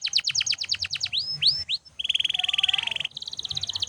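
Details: Canary singing nonstop, a recording meant for training other birds: a fast run of sharp repeated chips, two upward-curving whistled sweeps, then a long rolling trill and a quicker, higher buzzy trill.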